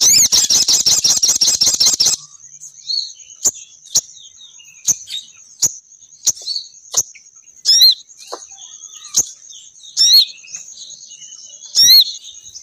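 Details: Female sogon bird calling males down: a two-second burst of very rapid, buzzy pulsed notes, then spaced sharp clicks and occasional louder slurred high chirps.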